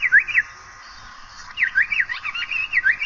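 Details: Asian paradise flycatcher giving a brief pair of swooping whistles, then over a second of near silence before a longer, lively string of sliding, sweet notes resumes.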